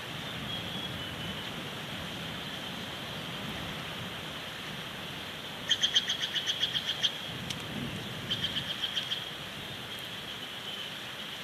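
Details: Bald eagle pair at their Big Bear Lake nest with two new chicks, 15 April 2019, via live nest cam as the male brings a twiggy branch; a rapid piping chatter of about twelve high notes, then a shorter series of eight, over constant hiss.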